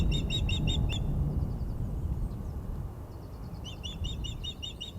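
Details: Female osprey at the Glaslyn nest on Wednesday 14 April 2021, calling in displeasure after an unringed male landed on the nest perch. Rapid bursts of short, piping, repeated notes open and close the recording over steady wind rumble.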